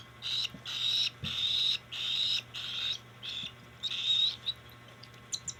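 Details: Cockatiel begging during hand feeding in 2025: a quick series of harsh, buzzy, rasping calls, roughly half a second each, some louder and longer, then a few soft clicks at the end.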